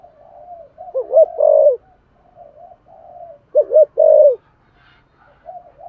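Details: Spotted dove cooing in the thổ voice style, used to stir other doves into cooing: soft low murmurs, then two loud, throaty coo bursts, each a quick hooked note run into a longer falling coo, with quiet gaps between.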